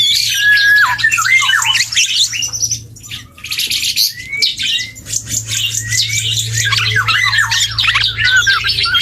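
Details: Young dark-throated oriole learning to sing, giving a dense, hissy chatter of high chirps and short whistles, with a quieter pause near the third second before the babbling resumes, over a faint low hum.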